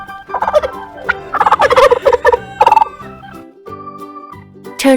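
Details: Several rapid, rattling turkey gobbles run together in the first three seconds, then fade out as cheerful children's music continues alone.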